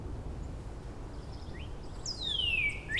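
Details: Neighbouring Northern Cardinals countersing at Angrignon Park, Montreal, on 4 April 2026, using upward-slide themes: one gives a loud, clear whistle sliding steeply down, then starts a rising note, after a fainter earlier upslur over a steady low rumble.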